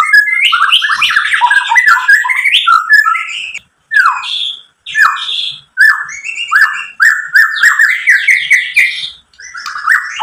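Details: White-rumped shama singing a full, varied song meant to provoke rival shamas: rapid whistled and chattering phrases, short pauses between bursts, fast varied notes.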